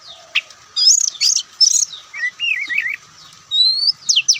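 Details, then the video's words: An Oriental magpie-robin of the white-breasted kind sings in the attractive Ngobra style. Short bursts of looping high whistles are followed by a wavering trill, then a long rising whistle and sharp downward notes. "Kicauan Santai Kacer"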